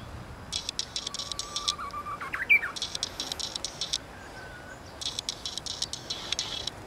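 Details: Japanese bush warbler singing in a camellia tree at Maizuru Park on 23 March 2020, its song noted as improving: a steady whistled note held about a second, then a quick rising flourish, later another shorter whistle, over buzzy chirping and clicking in the background.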